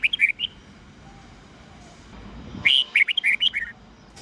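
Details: Red-whiskered bulbul giving morning song in the 'old forest voice' style of 8 to 10 notes, used to tutor young birds: a short opening burst of four whistled notes, a quiet pause, then a longer run of about nine bright, warbled notes.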